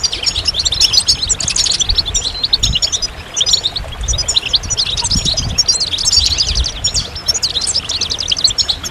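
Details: Sustained goldfinch song, a bright, rapid twittering chatter of high notes and quick trills running almost without a break, with soft low knocks in the background.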